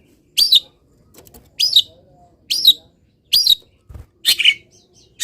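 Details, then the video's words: Long-tailed shrike kept in a cage, misted and then placed in morning sunlight, giving loud high chirping notes at irregular intervals, with faint low rustling between phrases. "BURUNG CENDET SANGAT BAHAGIA KETIKA DI EMBUNKAN DAN KENA MATAHARI PAGI - CENDET GACOR FULL ISIAN"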